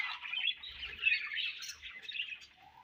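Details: Budgies feeding and sharing food, giving a short stream of scratchy, warbling chirps that drift slightly in pitch, closing with a thin rising whistle.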